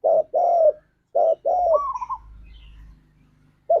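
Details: Spotted dove, a lure for pet doves in 'ngalas' style: two pairs of loud, deep coos, a brief higher rolling trill, and a low steady hum behind.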